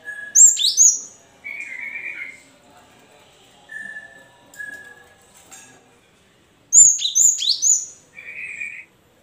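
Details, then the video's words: A cinereous tit, recorded to prompt idle captive tits into singing, gives very high, thin sweeping notes mixed with short, level whistles lower down, in two bursts about six seconds apart. "pancingan gelatik batu macet bunyi biar gacor sahut sahutan"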